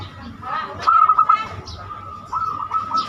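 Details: Zebra dove (perkutut) banyumili song used as a lure for other birds. One short run of quick pulsed coo notes, then quieter fluttering coos against a low hum.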